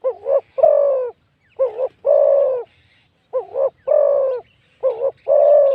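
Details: Spotted dove, a wild bird praised for its big voice and fine phrasing, cooing at a decoying session. Repeated phrases each pair a quick wavering coo with a sustained deeper one, about three phrases in six seconds.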